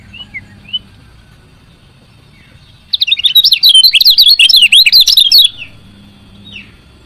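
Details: Female lemon-bellied white-eye chirping, a call used to stimulate idle males to sing. A few soft notes come first, then a bright, rapid burst of high, jumbled chirps runs for about two and a half seconds before fading.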